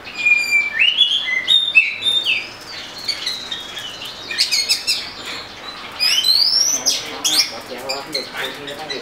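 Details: Oriental magpie-robin song: varied whistled phrases, some rising slurs and clear held notes, mixed with sharp chirps and harsher notes, delivered in quick succession with short pauses.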